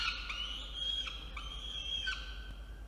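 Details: Peregrine falcon chick in a water-tower nest box at Orange, NSW, Australia, objecting to nest cleaning in the afternoon of 17 November 2021; drawn-out, thin, harmonic wailing notes, several in succession, over a low steady hum.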